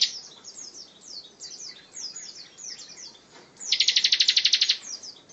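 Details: Bar-winged prinia singing in the dense 'tembakan rapat' style, meant as tutor material for other songbirds: faint high chirps, then one loud, fast, evenly pulsed trill of about a dozen sharp notes lasting about a second.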